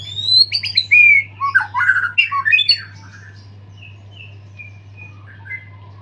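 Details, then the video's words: White-rumped shama singing hard after its moult, full of filler phrases: an energetic loud stretch of mixed whistles, rattly buzzy notes and chattering runs for three seconds, then softer scattered whistled notes, over a low hum. "murai gacor full isian pasca mabung"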